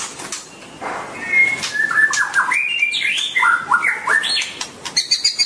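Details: White-rumped shama, shown dancing and singing: a varied run of clear whistled notes that step up and down between mid and high pitches, with sharp chirps mixed in and brief high ticking near the end.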